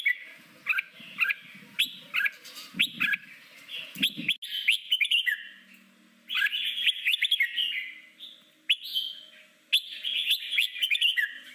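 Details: Training song of a red-whiskered bulbul in forest-voice style, for teaching newly caught bulbuls to sing in contests: long lively series of bright whistles and warbles, with a few soft low rustles midway and short pauses.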